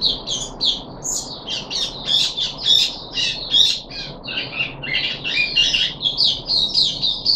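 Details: A puff-backed bulbul on day three of deworming, 14 July 2021, gives a rapid, squeaky, high chattering series of clipped notes with little break.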